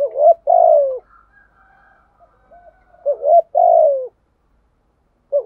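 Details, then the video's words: Decoy spotted dove cooing to draw out wild doves: deep hooting phrases, a pair of short notes then a sustained downward coo, repeated about every three seconds, with faint higher cooing behind. "chim cu mồi thúc gù bài bản nhất hiện nay, chim cu gáy kích bổi hiệu quả nhất hiện nay"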